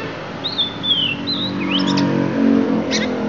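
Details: Oriental magpie-robin from Lampung with isian: a few long thin whistles sliding downward, then a quick rising twitter and a final high chip, over a strong low rumbling background.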